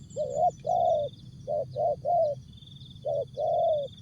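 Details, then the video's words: Spotted dove, Asia, performing a brief jergot song: a rapid string of seven soft, burry coo notes, some drawn out and some clipped, with buzzing insects in the background. "Jergot,Tapau, Bungkus Burung Tekukur/Terkukur"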